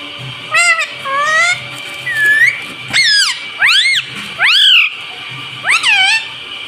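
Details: Pet parrot that talks, voicing "mummy" and "mitthu"; a string of seven rich, harmonic squawky syllables, several swooping upward then falling, spaced irregularly, with a steady high hum behind.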